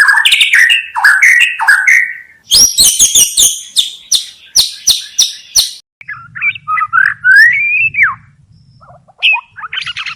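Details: White-rumped shama song for use in bird-luring: whistled downslurred phrases, then a burst of sharp high chattering notes, followed by quieter looping whistles over a faint low hum.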